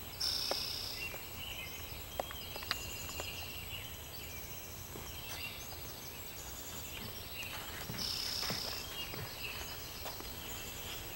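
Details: Rufous-sided towhee on Vancouver Island giving a short, high, buzzy note twice, once near the start and again at about eight seconds, over a busy background of other birds chirping and trilling.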